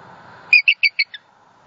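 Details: Southwest Florida bald eagle, the female on the nest, calling in distress after a great horned owl attacked her mate on 28 December 2020. A rapid, evenly spaced series of five high, thin whistled chirps, the last one softer.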